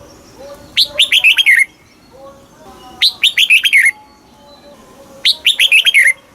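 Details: Southern master style song of a caged Thai red-whiskered bulbul, played to rouse caged birds and teach chicks: three brisk phrases of bright, tumbling whistled notes about two seconds apart, with faint low tones between them.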